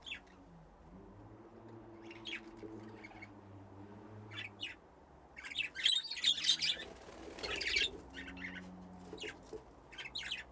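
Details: Budgerigars playing in an aviary with nesting boxes give scattered short high chirps. Midway the chirps become a dense burst of chatter, then turn sparse again. A low steady hum runs underneath.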